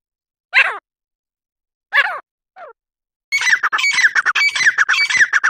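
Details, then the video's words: Grey francolin: three separate rasping notes, each sliding down in pitch and spaced about a second apart, followed by a dense, rapid stream of harsh, chattering squawks. "Gora Teetar Ki Awaz"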